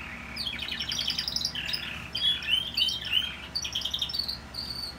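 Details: Canary bred in 2018, which began singing after the moult: lively, unbroken high chirps, buzzy rolls and quick trilled phrases that shift pitch every second or so, with a constant low background hum.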